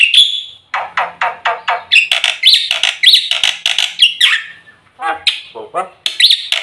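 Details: White starling singing a full, varied lure song for training birds: a thin high whistle, then dense harsh chattering and squawky notes in rapid, uneven bursts with short pauses.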